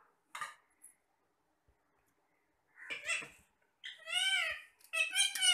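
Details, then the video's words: Talking parrots chatting while eating apple: short harsh chirps, then a pause, then rising and falling harmonic squawks in rapid bursts toward the end, indoors and otherwise quiet. "Talking parrots"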